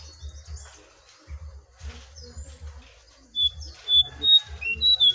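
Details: Jongkangan in a wild versus caged singing contest: soft low thumping at first, then loud clear whistled notes, some sliding, repeated in quick succession.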